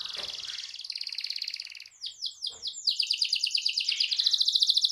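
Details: Canary song used as training audio to stimulate a silent canary to sing: a long buzzy high trill, then a quick run of falling sweeps, then a fast rolling trill repeated about three times a second.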